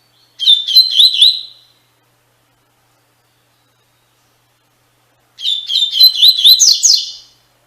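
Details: Tui Tui Fibra song of a double-collared seedeater, played to train caged birds: two bright, fast phrases of whistled and trilled notes with upward-sweeping flourishes, separated by about four seconds of silence.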